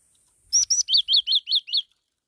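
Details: A single song phrase from a black-throated laughingthrush: two piercing high notes open it, followed by five loud, rounded, arched whistles repeated quickly and evenly.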